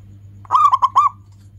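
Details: Zebra dove of a local strain cooing its anggungan song, meant to coax other doves into singing; a single quick phrase of four rounded, resonant notes, the opening one drawn out, with a faint constant hum beneath.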